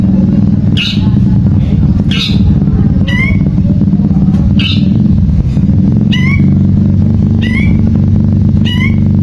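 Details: Long-tailed shrike song used to provoke a silent shrike into singing: short, high calls that drop steeply in pitch, some ending in a brief mewing tail, spaced one to two seconds apart over a persistent low hum.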